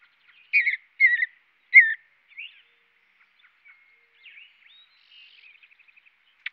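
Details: Mountain bluebird chirping: three husky downslurred whistles in quick succession, then scattered softer chips, a thin level whistle and a fast faint trill, ending with a sharp tick; no background noise.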